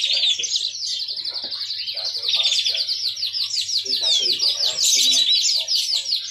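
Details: Song of a yellow-fronted canary kept as a songbird: high rolling trills and thin whistled slurs running on without pause, with soft low sounds in the background.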